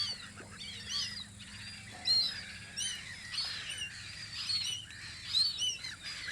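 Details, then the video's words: Spring gull calls from the guarding post on Audru polder: a soft, busy chorus of short arched cries from many birds, bursts swelling around every second, over faint low background hum. "Kajakate vahipost Audru poldril"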